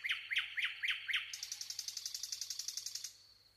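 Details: Nightingale song opening with five loud sharp notes about a third of a second apart, followed by a long rapid trill of some twenty even pulses.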